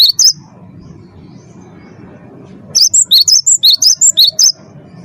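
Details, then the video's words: Champion first-place 'wingko' Cinereous tit, a lively singer whose song serves as a lure to get captive birds singing; a short opening chirp, then a quick run of about ten sharp, high, whistled notes over a low background hum. "gelatik batu wingko gacor juara satu pancing bunyi gacor"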